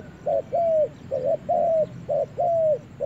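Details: Spotted dove brought into a forest for the first time, calling in quick pairs of soft coos, a brief note and then a drawn-out, gently falling one, about three pairs in three seconds.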